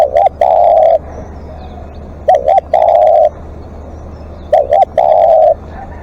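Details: Decoy spotted dove calling long: three phrases of a quick hooked double coo and a long steady low coo, spaced about two seconds apart, with sharp clicks.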